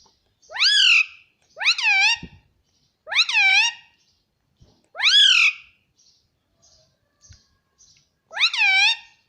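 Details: Pet Indian ringneck parrot talking nonstop, repeating a word said to be "mummy" as loud harmonic, arching syllables about every one and a half seconds, five utterances in a quiet room with faint soft chirps between.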